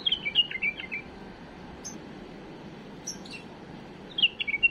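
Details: Tame bulbul sings error-free phrases meant to tutor fledglings: a quick run of liquid whistled notes at the start, a quiet gap with faint high ticks, then a second brief warbling phrase.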